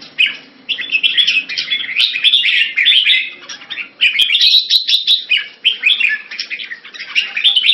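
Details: Red-whiskered bulbul kept as a cage bird, pouring out a nearly unbroken stream of bright, warbled and chattering notes, phrases rising and falling with only brief gaps, light clicks in the background.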